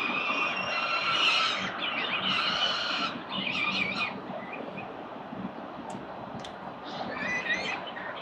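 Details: Peregrine Falcon nest with four chicks at breakfast, Victoria, 4 November 2021, CCTV. Harsh wailing calls in the first four seconds, then quieter broken chattering and a few thin notes.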